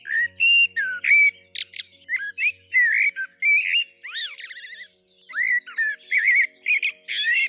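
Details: Common blackbird in Ukraine sings fluty, mellow phrases that end in squeaky twitters, with short gaps between them, over faint music.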